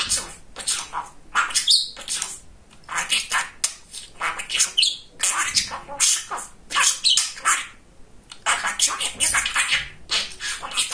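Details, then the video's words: Talking male budgerigar, pet, very chatty; rapid, hissy mimicked speech-like chatter in quick bursts with brief squeaky whistles between. "Говорящий Волнистый Попугайчик"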